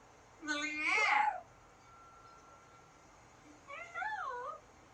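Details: Pet Amazon parrot calling indoors: a loud, harmonic, wavering squawk lasting about a second, then a pause and a shorter, warbling, rising-and-falling call, with faint room noise between.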